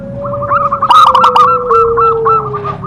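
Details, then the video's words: Local zebra dove singing with a big voice: a bubbling rolled phrase of quick coo notes over a long, slowly falling lower tone. "perkutut lokal gacor Suara Besar Suara Ampuh bikin Manggung"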